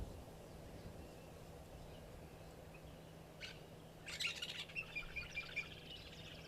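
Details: A distant African Fish Eagle calls in the background, a quick series of high, ringing yelps over about two seconds, above a steady low engine hum; 27 November.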